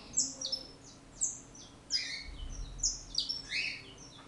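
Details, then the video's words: Brazilian saffron finch, called canario da terra, delivering a lively song of high downslurred chirps in quick clusters, with a few lower, buzzier notes mixed in, against a quiet steady hum. "canario da terra"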